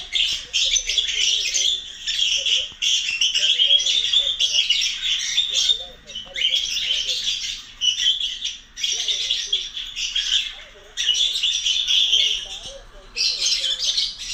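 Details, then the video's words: Pet lovebird calling out for its companions with long runs of harsh, rasping chatter broken by short pauses every second or two. "lovebird looking for his friends"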